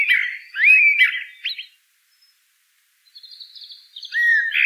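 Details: Eurasian blackbird: a fluty, looping warble with a scratchy flourish, a silent second, then soft high twittering and a new whistled phrase beginning.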